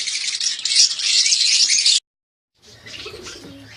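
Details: Colony of budgerigars in Pakistan: dense, buzzy, high-pitched chattering and warbling from many birds for two seconds, then a short silence and softer overlapping chatter.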